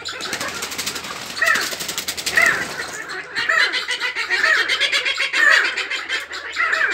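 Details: Mate-choosing sandgrouse kept by their owners give harsh, nasal notes roughly once a second over a rapid clucking chatter. A brief rustling noise sounds early on.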